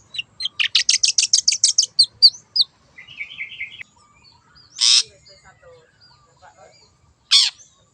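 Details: Wild long-tailed shrike in vigorous lure song: a fast run of about a dozen scratchy notes, a softer buzzy trill, then two separate loud harsh rasps amid quiet twittering.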